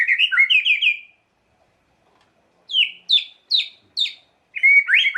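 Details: White-rumped shama song meant to provoke emotion, a quick burst of slurred notes, a pause, then four sharp descending high notes about every half second and a closing warbled flourish.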